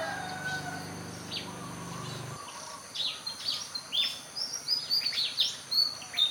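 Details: Pied fantail calls: short high, clear chirps and thin squeaky notes in an irregular stream in the second half, after a low engine-like hum that stops early; faint background noise.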